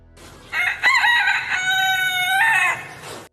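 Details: Rooster crowing: one long, loud, harmonic crow, a short rising opening followed by a sustained, steady, strident note for about two seconds that drops away at the end.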